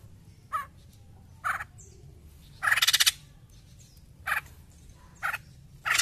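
White-crested laughingthrush giving loud, harsh cackling bursts roughly once a second, with one longer rapid rattling chatter; otherwise quiet.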